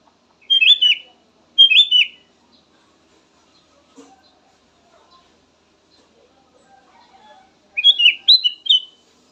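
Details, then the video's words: Black-naped oriole, known as kutilang emas, giving short emphatic whistled phrases: two separate bursts, a long quiet gap with faint ticks, then a busier tumbling burst of bright notes. "VARIASI KICAUAN BURUNG KUTILANG EMAS SYAHDU DAN COCOK BUAT PANCINGAN"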